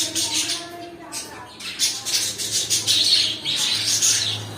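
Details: Home cockatiels giving harsh squawks and chirps in quick bursts, with a brief short whistle near the start and a low hum in the background.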